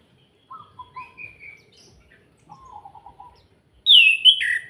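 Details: Kretekan-style singing by an orange-headed thrush, played to stir other birds into song: soft scattered whistles and a low rattling trill, then a sudden loud burst of high, sweeping chattering notes at the end.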